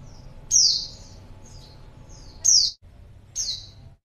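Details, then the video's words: Female white-eye calling to attract a male: three loud high notes sliding downward about a second apart, softer faint chirps in between, brief dropouts in the recording. "pleci betina#buat pancingan pleci jantan"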